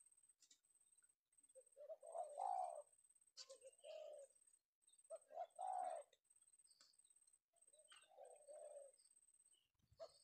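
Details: Male spotted dove with the penguku voice, an Indonesian lure bird caught in the afternoon; quieter coo phrases spaced a few seconds apart, short notes building to fuller coos, with faint chirps from other birds.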